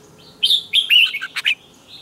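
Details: Red-whiskered bulbul morning training song with a double twisted note: one loud, quick phrase of bright whistled and slurred notes, with a sharp chirp near its end.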